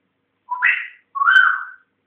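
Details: Pet African grey parrot, indoors and learning to talk, whistles two clear notes: a short rising slur followed by a longer, slightly wavering whistle that falls at the end. The room is otherwise silent.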